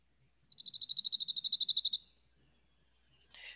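Pine Warbler singing a rapid, even, musical trill of about twenty high notes lasting a second and a half, followed by a brief faint rustle.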